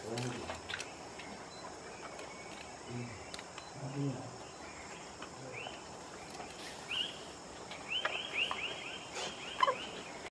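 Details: Sri Lanka spurfowl (Galloperdix bicalcarata), Sri Lanka, 25 December 2015, giving rapid runs of short, rising whistled notes in quick bursts, over a steady insect-like hiss and faint low murmurs.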